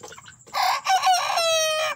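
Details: Young chicks squabbling and fighting among newly added fresh chicks; loud, shrill cheeping bursts, the last one a long, sliding, piercing peep, with a tonal hum in the background.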